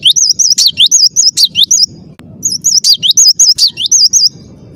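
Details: Cinereous tit singing clearly and insistently: two dense phrases of quick, high, rippling whistled notes with sharp falling accents, broken by a brief pause near the middle.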